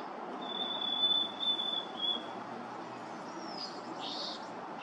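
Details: Harris's sparrow singing on April 10th, 2023: a long, clear, steady whistle held on one high pitch for nearly two seconds, followed by a brief, softer, higher note, over a constant rumbling background hiss.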